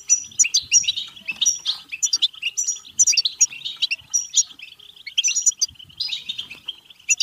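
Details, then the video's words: Batbata goldfinch song, played to encourage singing, mating and excitement; energetic stream of rapid metallic chirps, buzzy trills and high whistled flourishes, tapering briefly before a fresh burst. "بتبتة حسون فعالة و رهيبة لتحفيز الحسون على التغريد و التزاوج و الهيجان سيغرد دون توقف مجربة"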